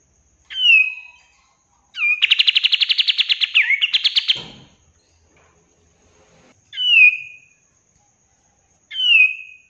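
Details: Kapas tembak bulbul song used as a master recording to make kept birds respond: clear downslurred whistles, then a fast rolling rattle of about twenty evenly spaced pulses ending in a twisting flourish, with single whistles repeated afterward.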